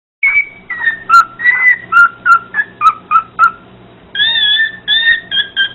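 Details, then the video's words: A parrot sings to a dog, whistling a run of clear, sliding, mostly falling notes, about two or three a second, then ending on a few higher, steadier whistles. "Parrot singing to a dog"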